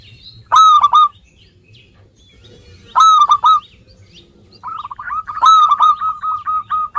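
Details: Vigorous song of a local zebra dove used as a lure for lazy birds: three bursts of loud, rich ringing coos spaced a couple of seconds apart, the last running into a fast series of soft staccato notes.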